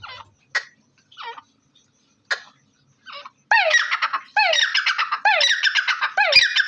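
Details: A few short scattered squeaks, then from about three and a half seconds a loud series of grating, rasping black francolin calls (Dakhni or Bholla teetar), each burst starting with a sharp rising stroke, roughly one per second.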